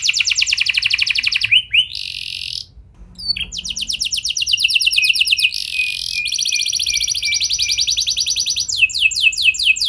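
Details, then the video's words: Canary song played so other canaries join in: long buzzy rolling trills broken by brief pauses, a steady high rattling roll, and a closing run of quick falling notes. "Pancingan Ampuh Bikin Kenari Lain Bakal Ikut Gacor Do0r Dengan Pancingan Ini! Langsung Nyaut Ngeroll"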